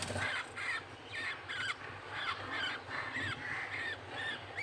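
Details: Feeding between a male budgerigar and its chick: bent squeaky calls repeating about once a second, fairly soft against a loud, rushing broadband background noise.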